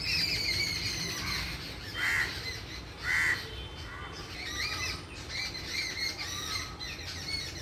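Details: Birds calling outdoors over steady background noise, with two louder, harsh caw-like calls standing out and softer chirps scattered through the rest.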